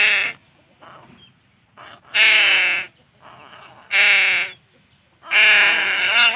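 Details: Crow nestling being fed, begging with raspy, drawn-out squawks, roughly one every one and a half to two seconds. Fainter, shorter notes are heard between the loud harmonic cries.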